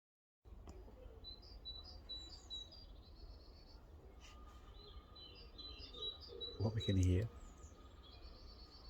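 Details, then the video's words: A great tit in a British garden sings repeated thin, high two-note phrases, a squeaky 'teacher, teacher' rhythm likened to a gate with a rusty hinge, over a low rumble, with a brief louder burst near the end. "It's actually the song of the great tit."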